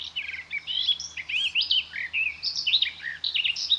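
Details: Garden Warbler singing at a forest edge: a rich, fast, continuous warble of mellow whistled and chattering phrases, high and pitch-jumping, running unbroken through the whole stretch with no other sounds.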